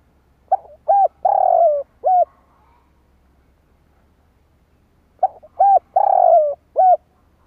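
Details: Spotted dove luring call for attracting wild birds. Two identical phrases about five seconds apart, each with soft introductory notes, a clipped coo, a long descending coo and a short ending coo.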